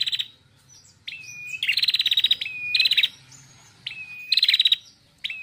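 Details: Ringing female red-headed prinia song, a steady whistled note leading into a rapid staccato trill, the phrase repeated several times with short pauses.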